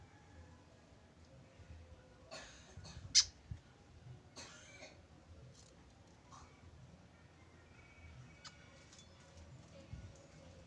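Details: Tame white-breasted woodswallow kept as a free-flight bird, calling alone without a companion: a few short, harsh, rasping bursts, three close together and then fainter ones later, over a low steady background hum.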